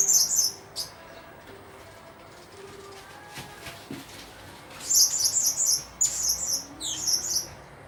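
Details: Shrill, high chirps of a blue-crowned hanging parrot arrive in a brief flurry at the start, then a lull with faint rustles and knocks, before a renewed series of rapid twittering bursts.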